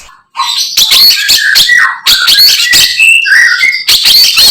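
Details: A wild flycatcher, known locally as sikatan londo, delivers dense, loud bursts of mixed chattering and thin whistled notes in quick phrases separated by brief gaps.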